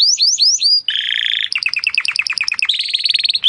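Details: Training song of a Timbrado canary meant to improve other birds' singing: three hooked whistled notes, a dense buzzing roll, then fast sliding syllables and a high rapid trill.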